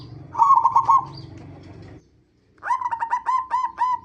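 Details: Zebra dove lure song meant to prompt other zebra doves to sing: two bursts of quick, evenly pitched cooing notes, the second a longer run of about seven beats, separated by a short silence.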